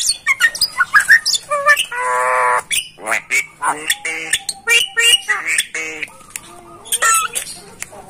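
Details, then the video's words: Javan myna song used as a tutor recording for training other mynas: a rapid, varied run of harsh squawks, sharp clicks and short whistles, with a drawn-out nasal buzzy note around two seconds and chattering bursts throughout. "masteran jalak kebo"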